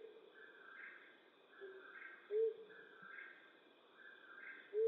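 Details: Flammulated owl hooting at night in western North America: soft low hoots recurring every couple of seconds, accompanied by regular higher-pitched background pulses.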